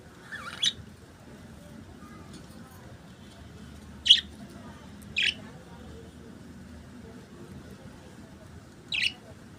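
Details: Budgerigars singing, heard as four short, bright chirps scattered over about nine seconds, spaced a few seconds apart, with a quiet, low background hum between them.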